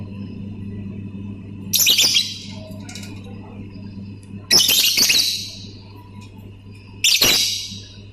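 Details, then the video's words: Lovebird giving ngetik and ngekek chatter: three loud harsh squawking bursts about every three seconds, with a steady low hum beneath. "BURUNG 🐦LOVBIRD SUARA NGETIK TAMBAH NGEKEK"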